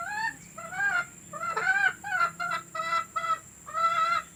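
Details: Hen calls to encourage laying: a series of nasal, arched notes about half a second apart, some longer and wavering, over faint background hiss.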